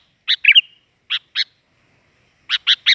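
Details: Sooty-headed bulbul singing: short, sharp chirped notes in small clusters, a quick warbled phrase near the start, then three rapid notes at the end, separated by clean silent gaps.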